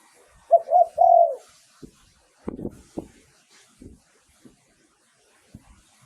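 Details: Spotted dove decoy song for luring wild doves: a single three-part coo opens, short notes then a long falling coo, followed by scattered knocks and tapping sounds.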